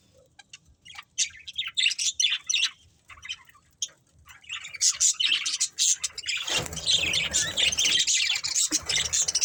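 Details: Chirping from a budgerigar breeding pair: sparse scratchy notes at first, building into rapid chattering twitters and then a dense, continuous warbling babble in the second half.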